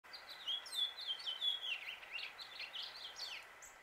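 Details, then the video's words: Male House Finch singing in Suffolk, Virginia, USA: a fast, warbled run of high twittering notes with slurred rising and falling phrases, steady background hum throughout. "House Finch Song and Call"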